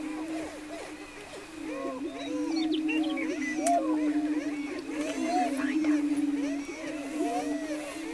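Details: A greater prairie-chicken lek near Wray, Colorado, April 17, 2011, where a dense chorus of short looping cackles crowds over a deep steady booming hum, swelling louder from the second second onward.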